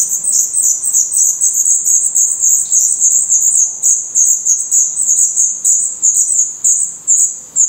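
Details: Black Redstart nestlings in a nest in Portugal, their eyes newly open and adult feathers growing, give a dense, nearly continuous chorus of thin, very high squeaks that overlap one another.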